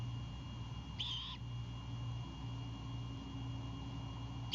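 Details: Nighttime Great Horned Owl owlet on its Savannah nest, 26 March 2022, going on defense over a bird brought by its father; one rasping screech, the start of another at the very end, over a steady low hum.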